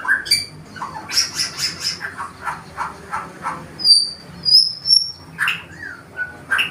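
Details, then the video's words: Wild-type white-rumped shama from Indonesia courting a female: a quick run of repeated chattering notes, then long thin high whistles and a few lower fluty phrases, with background hiss. "MURAI BATU HUTAN MERAYU BETINA"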